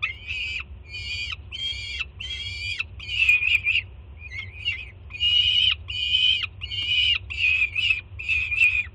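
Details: Young peregrine falcon at a Jersey City nest site greets its mother bringing food, June 2017, with a series of raspy, ringing screams, each under a second, some slurring downward at the end, over a constant low background drone.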